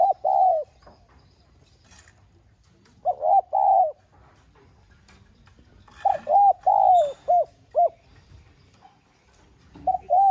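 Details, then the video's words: Spotted dove in the 'son' voice style, urgently calling to stir up other doves: low, mellow coos in paired and grouped phrases separated by pauses of a few seconds, over a faint low hum. "Tiếng Cu Gáy GỌI THÚC Giọng SON"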